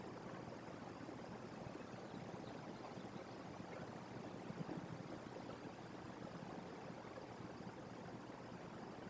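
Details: Quiet, steady hiss of background noise runs throughout with no calls.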